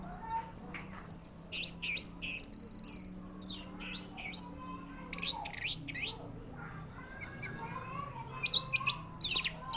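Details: An orange-headed thrush at a contest ring gives a long, varied song of high squeaky phrases, rapid trills and scratchy notes in clustered bursts, with some low background hum.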